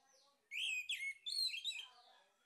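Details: Lure recording of a male orange-headed thrush: one dense, energetic phrase of slurred whistles and chattering notes, opening from a soft lead-in and trailing off into quieter warbles.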